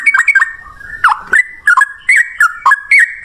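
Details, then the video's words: Short burst of Yellow-vented Bulbul 'ropel ngalas' song, a lure to get other bulbuls calling; bubbly slurred notes, a brief dip and swoop mid-phrase, then quick repeated chirpy phrases. "suara trucukan gacor ROPEL NGALAS, pancingan trucukan agar bunyi jadikan burung trucuk nyaut gacor"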